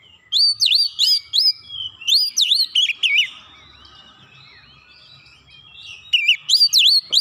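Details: Oriental magpie-robin song used as a lure to provoke a response: bright, rising and falling whistled notes in quick groups, a quieter middle stretch with faint distant chirps, then another energetic burst of whistles.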